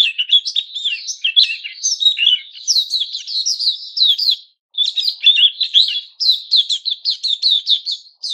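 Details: White-crowned shama, captive and growing new feathers, 6 September 2021, singing a varied, rapid stream of chirps and twisting whistled notes that rise and fall, pausing once briefly.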